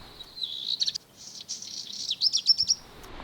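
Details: A Black Redstart in the town of Neuchâtel during lockdown sings a brief high whistle, then a dry crackling burst like crumpled paper, and closes with a few thin high notes. It is a tireless singer, heard latest in the evening in towns and residential areas. Background is quiet.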